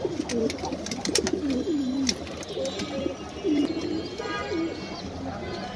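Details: Pigeons feeding, giving repeated low warbling coos that bend up and down, several birds calling over one another amid soft pecking and rustling noise.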